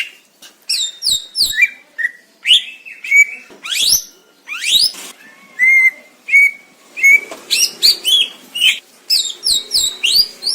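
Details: Greater green leafbird recorded in nature in Indonesia, giving a loud series of clear, slurred whistles, some sweeping steeply up or down, others held steady, spaced about half a second apart.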